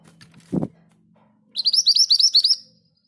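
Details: Rolling ngerol song of a scarlet minivet (mantenan gunung): a dull knock sounds first, then after a pause about nine clear, rising whistled notes tumble out quickly over roughly a second, over a low steady hum.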